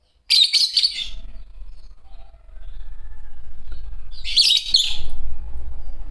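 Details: Green Fischer's lovebird pair giving two loud, shrill chattering bursts about four seconds apart, with a steady low rumble filling the gap between them.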